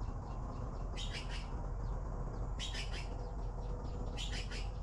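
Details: Baby blue magpies waiting for food: harsh, raspy bursts of three quick notes, repeated about every one and a half seconds, over a steady low rumble of background noise.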